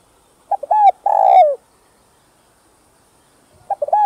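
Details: A spotted dove gives its calling coo, used to stimulate newly caught doves: soft, hollow coos in short phrases, a low double note leading into a longer, swelling coo, the phrase repeating after a pause.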